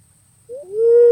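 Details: Pink-necked green pigeon: a short upward-sliding note followed by a long, clear, sustained low whistle, loud and clean against a quiet background.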